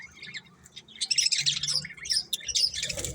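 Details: Pet budgies chattering busily: a dense jumble of quick, high chirps, squeaks and warbled twitters that overlap and build in intensity, with a low hum underneath.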